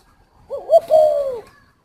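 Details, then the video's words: A single cooing phrase from a spotted dove at a bird garden in Ba Vì, Hanoi, Vietnam: two quick wavering low hoots, then a long, smooth coo sliding downward, in a quiet setting. "chim cu thổ"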